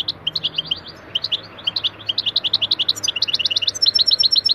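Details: Goldfinch singing lesson recorded for training: fast tinkling sequence of high clipped chirps, quickening and becoming denser toward the end, with a faint low hum underneath.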